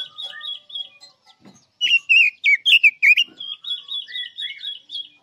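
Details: Chinese hwamei in full song, used as a trap lure, delivering bright, rich whistled phrases: a rapid run of loud swooping notes, then repeated high warbles and softer slurred whistles trailing off.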